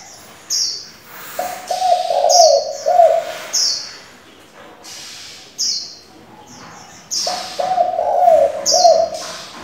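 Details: Spotted dove used as a decoy to stimulate wild doves and train young ones, giving varied, continuously changing coos: two phrases of low, rolling, stuttered cooing notes, with sharp high chirps from other birds in between.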